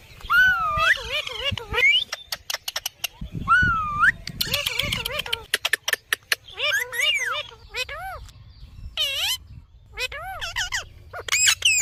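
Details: Parrot talking: wavering, speech-like whistled phrases with rising and falling tones, mixed with short clicks and broadband rasps, coming in uneven bursts.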